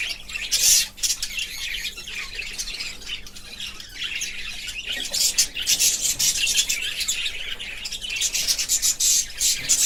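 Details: Several pet budgerigars chirp and chatter over one another in dense, high, scratchy bursts.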